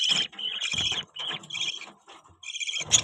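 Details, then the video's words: Budgie producing loud, buzzy chirped phrases, high warbling notes strung together in bursts under a second long, separated by brief quiet breaks. "Budgie chirping sound"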